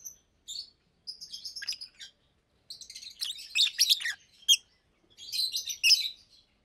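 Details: A pair of adult Fischer's lovebirds in a cage sing in daylight: a few clear high whistled notes, then long runs of dense, rapid scratchy twittering broken by short silences.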